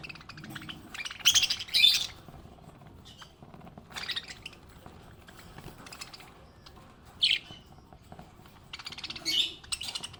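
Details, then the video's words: Happy pet budgerigar chattering: bursts of scratchy, buzzy high chirps and short squawks, irregular, separated by quieter pauses. "Happy budgie chirping sound"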